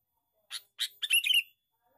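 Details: Male sooty-headed bulbul calling as a lure: two short, raspy notes followed by a fast, buzzy chattering run, all within about one second, loud and clear against silence.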